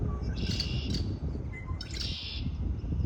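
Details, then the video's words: Springtime bird singing: two separate high twittering phrases, each under a second long, with a short thin whistle between them, over strong low rumbling noise. "آوای آرامش بخش پرندگان در بهار(Relaxing with the sound of birds)"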